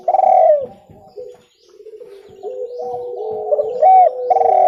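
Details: Spotted dove call, a clear recording used as a lure for trapping birds; low, soft cooing notes in a short phrase, with a sliding tonal coo near the end and a brief pause midway.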